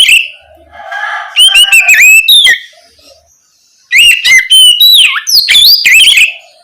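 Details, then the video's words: Night-time ngeplong song of an Oriental magpie-robin, played as a lure so young spotted birds start singing back; a softer opening, then two dense phrases of bright whistles, rapid chirps and descending slurs with a quiet gap between. "Pancingan Kacer ngeplong malam hari ampuh untuk merangsang Kacer trotol agar lekas nyaut bunyi"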